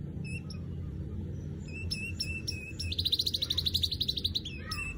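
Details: Weaver calls: scattered short high chirps, then a fast buzzy rattle of rapid repeated notes for over a second, ending in a brief descending note; low background hum throughout.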